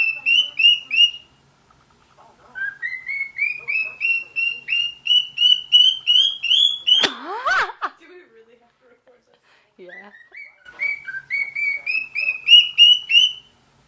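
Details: Cockatiel (Nymphicus hollandicus), song.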